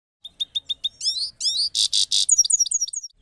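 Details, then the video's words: Goldfinch (Parachinar goldfinch) in a rapid, high twitter: a few clipped chips, liquid rising-falling notes, three harsh buzzes, then quick tinkling slurred chirps, with no other sounds. "Gold Finch Sound"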